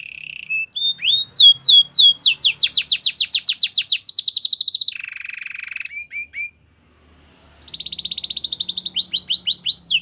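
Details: Singing Belgian canary for training: short whistles lead into accelerating falling notes and a rapid buzzy trill, then a low rolling rattle, a pause, and another fast trill with downslurs.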